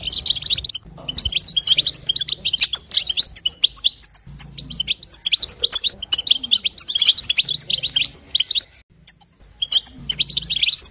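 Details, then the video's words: European goldfinch female betbeta sounds, played to make a silent male sing. Long runs of rapid, high, tinkling twitters continue with occasional brief silences, over a faint low drone. "بتبتة وستسته حسون تجعل الحسون يغرد فقط اسمعه اذا لم يغرد حسونك اثنى"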